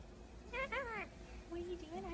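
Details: Captive Indian ringneck parakeet mimicking human speech indoors: two arched, voice-like syllables in quick succession, followed by a lower, flatter drawn-out murmur.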